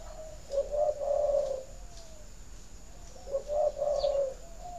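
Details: Spotted dove cooing to stimulate egg laying in doves kept for breeding: two low, mellow cooing phrases, each a few soft notes run together over about a second, with a quiet pause between them.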